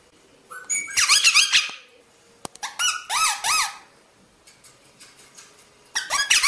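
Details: Rosella chattering in quick bursts of arched, warbling whistled notes mixed with squeaky sounds, with short pauses between the bursts.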